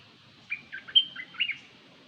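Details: A single quick phrase of bird chirps and bright whistled notes from a decoy recording, about a second long, with near silence around it.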